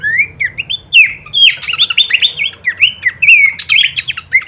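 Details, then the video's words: Horsfield's babbler singing a kleperan-variation masteran for training songbirds: a few clear rising whistles, then a dense, busy stretch of chirps and slurred notes, over a faint low hum. "masteran andalan khas burung pelanduk semak suara full variasi kleperan."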